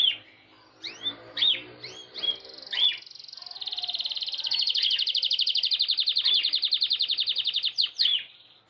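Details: Courting male canary singing hard at a red female during breeding season. The song opens with several sharp swooping whistles, then a long, very rapid buzzy trill holds steady for about four seconds, and it ends in a few more sweeps.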